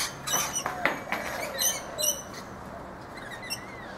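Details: Rainbow lorikeets feeding in a guava tree in a backyard in Brisbane, Australia: harsh, broadband screeching bursts in quick irregular succession over the first half, then quieter, with faint whistles from other birds behind.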